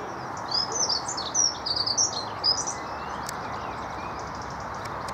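A dunnock gives a quick, high, scratchy warbling phrase of thin jumbled notes lasting about two seconds, over a steady hiss of background noise.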